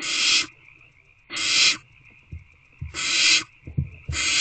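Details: Wild owlets inside owl box C on the evening of 3/2/24, 6:28 pm, begging while awaiting food: four loud rasping hisses, each about half a second, repeated roughly every 1.3 seconds, with soft low thumps between them.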